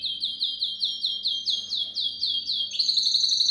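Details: Tutor song for young canaries, from a canary: a rapid series of falling, slurred whistled notes, about four per second, switching near the end to a faster, tighter rolling trill.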